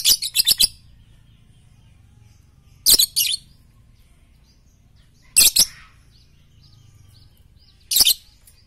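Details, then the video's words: Lovebird chirping in a morning, noon and night training recording: rapid strings of shrill, raspy chirps come in bursts about every two and a half seconds, with quiet gaps between. "masteran Lovebird pagi siang dan malam paling cocok"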